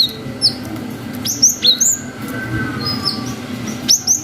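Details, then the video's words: Lively singing cinereous tit, recorded as a lure for young tits: scattered piercing whistled notes, each quickly falling in pitch, in pairs and triplets over a steady low hum. "GELATIK BATU GACOR WUCIT PANJANG"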